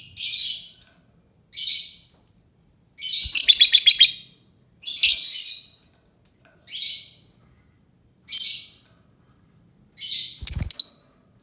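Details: Lovebird chattering in a steady sequence of harsh, high, buzzy squawks and twittering bursts roughly every one to two seconds, some notes quickly stuttered.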